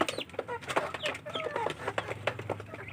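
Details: Village chicken chicks scrambling over food, giving a busy stream of short clucking and cheeping notes with bright rising and falling chirps, mixed with rapid pecking clicks over a low steady hum.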